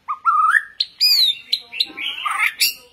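White-rumped shama singing a rapid run of varied phrases: rising whistles, a long clear descending note, then chattering twittery notes, all within three seconds.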